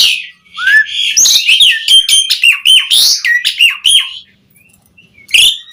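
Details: Asian pied starling in rich song, used to coax other starlings to sing; fast chattering stream of squeaky, twisting whistles and clicks for about four seconds, then quiet and a final harsh note.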